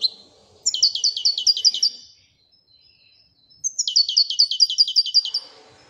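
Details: European goldfinch singing two bursts of rapid, tinkling twittered notes, each burst about 1.5 seconds with quick repeated high chirps, separated by a short silence.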